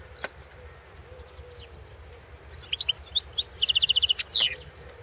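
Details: European goldfinch entered in the 2016 world championship in goldfinch song: a lone sharp chirp, then a rapid twittering phrase turning into a quick series of repeated buzzy notes and a falling final note.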